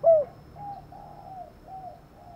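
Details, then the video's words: A female spotted dove gives one louder low note, then soft, mellow cooing notes about every half second, over a faint background hum; the call is used to stimulate male doves to coo in reply. "Tiếng Cu Mái/ cu mái kêu kích chim cu gáy trống gáy theo"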